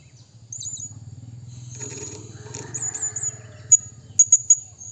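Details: Blue-crowned hanging parrot calling to a rival: thin, very high squeaky notes, faint at first, then three or four sharp piercing chips near the end, over a steady low rumbling hum.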